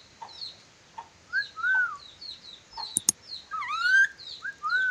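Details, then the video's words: Sulawesi ornate lorikeet, described as skilled at whistling, gives drawn-out arched whistles. A louder sweeping whistle near the end comes alongside a couple of sharp clicks and busy high twittering in the background. "Nuri dora sulawesi pintar bersiul, nuri dora banyak siulan"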